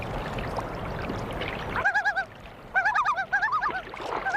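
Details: Common Loon on a North American lake giving territorial yodel calls that proclaim ownership during a dispute with rival loons before nesting: loud, wavering, rolling phrases rising and falling around a mid-high pitch, repeated in quick bursts after watery background noise.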